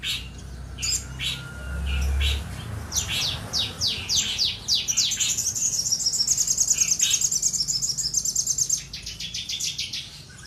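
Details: Common iora singing to challenge a rival, opening with sharp separate chirps and a low thump, then a long rapid high trill of evenly repeated notes lasting several seconds before fading into chirps.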